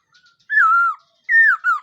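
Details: Black-throated laughingthrush singing in the morning as voice training: two loud, clear whistled phrases, the first sliding slowly downward, the second falling in two steps, with a short pause between.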